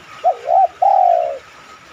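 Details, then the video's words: Spotted dove cooing, used as a lure to get other doves to coo in reply: three-part phrase of two short low hooted notes followed by a longer, slightly falling drawn-out coo. "tekukur mana yang ga tergoda bunyi manggung..pancingan anggungan terbaik."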